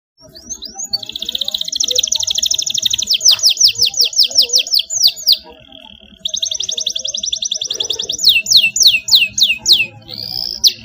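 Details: Young canary learning to sing from a recorded model song with elaborate phrasing: rapid trilled rolls of high notes, sweeping down-slurred syllables repeated in series, and a brief pause before the rolling phrases resume.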